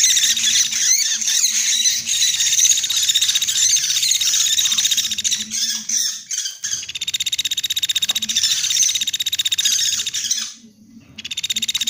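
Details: Sunda pygmy woodpecker lure call, played to attract birds for trapping: dense, buzzy, high chattering notes repeated rapidly and almost without break, with a brief drop-out near the end.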